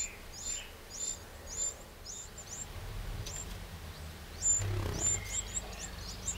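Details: A Eurasian wren in a garden in the Châtillonnais, Burgundy, France, on 31 May 2023 gives short, thin, very high chirps and sharp ticks, about two a second and irregular, over a steady low rumble of background noise.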